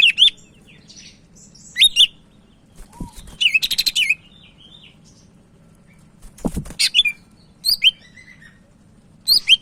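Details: Sumatran leafbird from Medan, vigorous tutor-bird song: varied sharp whistled chips, fast rattling trill bursts and rising slurs in irregular phrases, with a couple of dull thumps and a low background hum.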